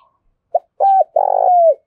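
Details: Spotted dove coo used to goad wild birds and decoys into calling: a brief soft note, a held hoot, then an extended trilled, burry coo that slides downward. The background is otherwise quiet.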